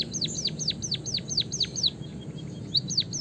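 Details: White-headed munia (Lonchura maja) gives a fast run of thin, high, down-slurred chirps, about four per second, then a pause and two more, over a low background hum; used as a lure to stimulate cage birds to sing.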